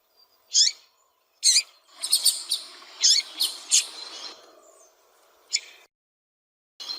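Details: Female double-collared seedeater calling repeatedly to warm up a male: two spaced high chirps, then a close cluster of sharp notes, then a couple of lone chirps.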